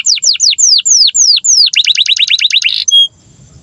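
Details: Canary song used as a master recording for teaching young canaries and silent canaries to sing: loud high sweeping down-slurred whistles repeated quickly, then a fast rapid trill of short notes, ending in a brief pure note.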